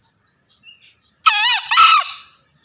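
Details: Male green junglefowl crowing: a loud, harsh two-part crow with a rising-falling first note and a second burst, lasting under a second. Faint high chirps from small birds come before it.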